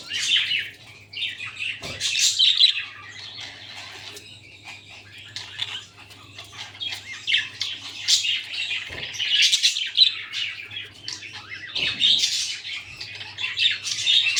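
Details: Budgerigars, an adult with babies, chatter in bursts of high, scratchy chirps and squawks, with a low steady hum beneath; budgerigar.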